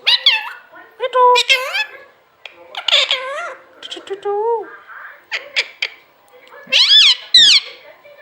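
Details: A pet green parrot called Mithu talks in short bursts of rising and falling, nasal, speech-like syllables, with a few sharp squawky notes near the end.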